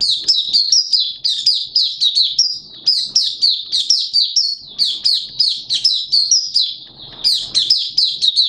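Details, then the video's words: Caged Malaysian Oriental white-eye in sustained song: eight seconds of unbroken, high, twittering whistles, each note dropping in pitch, delivered in fast irregular clusters with faint low hum beneath. "Malaysian Mata Puteh Buka Sing"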